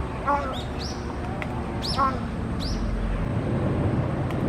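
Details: Crow making a strange, unusual call: three ringing, upward-swooping notes with a few shorter, fainter notes between them, over a steady low rumble of traffic.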